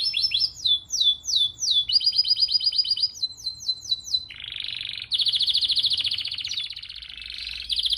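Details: Canary singing a rolling training song for other cage birds: repeated descending whistled sweeps, then fast trills and long buzzy rolled phrases, all high-pitched and continuous.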